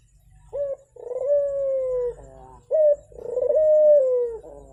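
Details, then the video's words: Turtle dove coo used as a lure to get a quiet dove singing: two phrases, each a short sharp introductory note followed by a long, level, soft low coo that falls slightly at its close. "Pancingan Burung Puter Macet Biar Cepet Bunyi"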